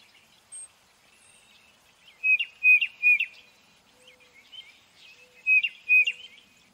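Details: Tufted titmouse uttering short high whistled notes in clusters of two or three, with pauses between groups and a faint low tone in the background.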